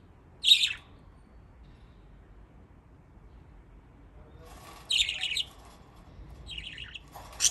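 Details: Pet budgerigars in Japan playing in water utter short, harsh chirps, each a brief buzzy burst, spaced several seconds apart, with a run of quick notes toward the end.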